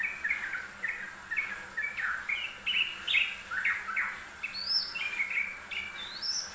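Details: Yellow-vented bulbul singing diligently on a master recording for training birds: a lively stream of short bubbly, chortling notes in quick phrases, some sharp upward-sweeping whistles near the end, over a light constant hiss.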